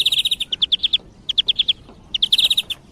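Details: European greenfinch song used as a hunting lure: bursts of bright chirping notes near one pitch, a fast run of about ten notes, a pause, then further rapid twittering trills with faint high overtones.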